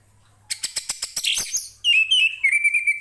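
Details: Orange-headed thrush singing, used to tutor other songbirds: a quick series of sharp dry chirps, about eight clicks, then a bright noisy burst leading into level, sustained whistled notes with slight wavering.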